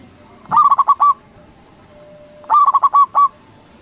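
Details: Loud-voiced local zebra dove calling to provoke rivals: two phrases of quick stuttering coos each ending in a drawn-out note, two seconds apart, with a faint steady tone between them.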